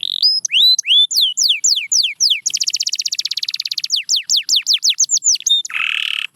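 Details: Canary song for waking up quiet birds: descending whistled sweeps, a dense fast trill lasting over a second, more sweeps, then a lower harsh buzzy ending.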